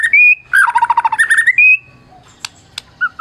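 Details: White-rumped shama of the Medan type, a prize-winning singer, its song used to provoke other silent shamas into singing: clear whistles rising near two kilohertz, then a rapid run of rich warbled notes, ending in sharp clicks and short whistled phrases.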